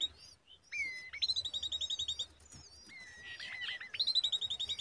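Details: Common babbler young on a date palm give two bursts of high whistled notes. Each opens with a drawn-out whistle that steps upward, then runs into a quick, even string of short chirps.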